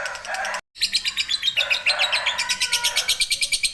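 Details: Ngekek-style long trill of a lovebird, used as tutor audio for song training: brief harsh chatter, a short silent cut, then rapid, evenly pulsed high chattering notes continuing to the end.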